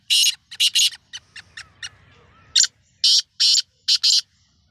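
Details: Calling black francolin, Sindhi strain, at the season's first try: loud grating bursts, some paired, mixed with several short clipped notes, a brief pause, then another run of long harsh rasps in quick succession.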